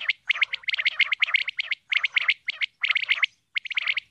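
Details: Female common quail calling in dense rapid bursts of clipped buzzy notes, clusters of about half a second separated by short gaps.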